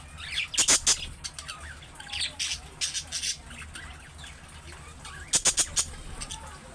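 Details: Pet budgerigar chatter: soft warbled, wavering notes mixed with sharp, clicking chirps in short bursts near the start and again toward the end, with quiet background hiss between.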